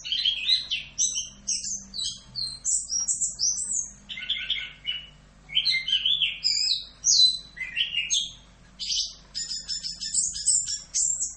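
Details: Anis kembang, the chestnut-capped thrush, in full Rock'n Roll masteran song: rapid, varied, very high twittering and slurred whistles pour out in dense bursts, with short gaps between phrases.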